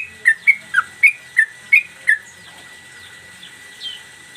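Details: Cage-kept yellow-vented bulbul performing a single mbandul Garuda song while playing its tail, used as training master: seven clear whistled notes in quick succession, one dipping lower, then quiet.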